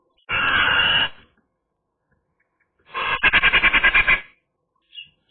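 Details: Eurasian magpie on a sunny day (8 March 2021) giving a harsh, raspy screech, then a fast rattling chatter of about ten dry notes in just over a second, with a brief squeak after.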